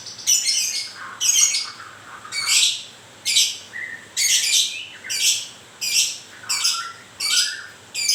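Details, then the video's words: White-rumped shama in moult repeating harsh, grating notes about once a second, with occasional short whistled slurs underneath. "Kicau mania.. murai baru rontok bulu..."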